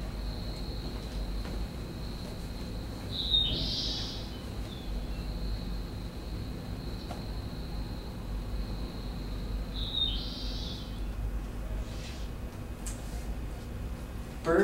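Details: A Dusky seaside sparrow (Ammospiza maritima nigrescens), a subspecies extinct in the wild in 1987, sings two short, buzzy, high songs about seven seconds apart, over a steady high insect-like tone and low rumbling background noise.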